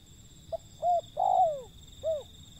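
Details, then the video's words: Wild zebra dove giving one full phrase: a tiny clipped note, a short coo, a long coo falling in pitch, then a closing brief coo, with steady high electronic tones in the background. "panggilan burung liar si pehang"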